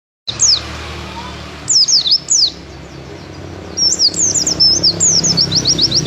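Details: Mountain white-eye singing actively, a series of high, thin, quick downslurred chirps in short bursts, then a longer run of rapid twittering notes near the end, over steady low background hum.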